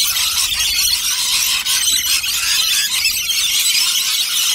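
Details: Rainbow lorikeets in a huge flock at a nectar feed, interacting. The result is a continuous, deafening wall of shrill, overlapping screeches with no pauses, loud throughout.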